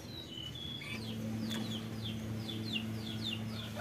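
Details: Kaso-kaso bird song, described as luxurious: quick, high-pitched descending whistled notes delivered in a rapid run of about four per second, faint against a constant low hum.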